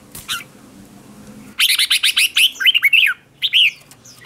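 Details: Red-whiskered bulbul decoy singing to call other bulbuls in competition style, with no background noise: bursts of rapid, bright chirps and warbled slurred whistles, then a pause before more chirping notes.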